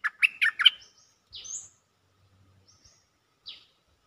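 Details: Cream-vented bulbul calling for a mate: a quick run of four loud bubbly notes, then thin high whistles and a single descending note after a pause.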